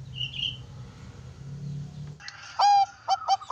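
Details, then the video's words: Juvenile Bangkok zebra dove with a deep bass voice, used for tutoring other birds. It gives a few loud, short, rounded cooing notes near the end, after a stretch of low hum and faint distant chirps. "Suara burung perkutut bangkok piyikan suara bagus dan ngebas cocok buat masteran"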